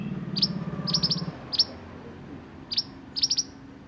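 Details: Sunbird (burung mantenan) in roll nembak song: clusters of two to four sharp, very high downslurred chips in quick bursts, separated by brief pauses, over faint low background noise.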